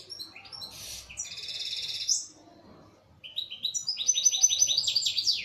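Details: Kept local Algerian European goldfinch in song, giving rapid tinkling, buzzy trills high in pitch, a brief pause, then a run of quick rising-and-falling liquid notes.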